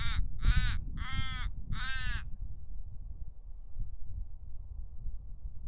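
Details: Common raven giving four quick, harsh caws in a burst, followed by low wind rumble with no further calls.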